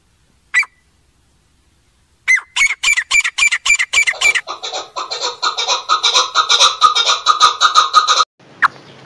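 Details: Black francolin call used to attract and excite other francolins, from a village setting: a few sharp notes, then a fast run of loud, harsh, grating notes merging into a dense buzzy chatter for several seconds.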